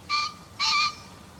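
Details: Green pheasant, taken from a bird field guide recording, giving its two-part crowing call: two loud, harsh, honking bursts in quick succession, the second longer, against near silence.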